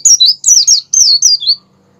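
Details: Short burst from an Oriental white-eye (pleci) in ngerol sambung ngalas style, a lure for making white-eyes open their beaks and sing. Four loud, high, sweeping slurred phrases, each falling in pitch, then silence.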